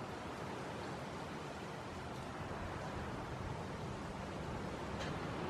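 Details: Continuous rushing broadband noise, like wind or surf, fills the recording with no clear animal sound.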